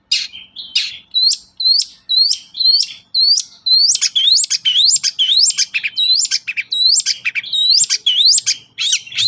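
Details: Long-tailed shrike singing vigorously, a recording meant to spur quiet shrikes into song: repeated scratchy chirps that turn into a steady series of upslurred whistled notes, roughly two per second.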